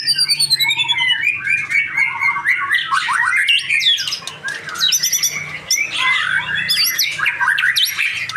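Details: Young male white-rumped shama in full song, pouring out fast varied whistles, sharp chips and swooping slurs in dense, unbroken runs, with a constant low electrical hum in the background.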